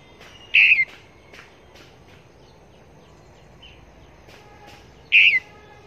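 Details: A decoy Red-whiskered bulbul used for trapping at Long Thành calls twice, about four and a half seconds apart. Each call is a bright, loud whistled burst. Faint chirps from other birds sound in between.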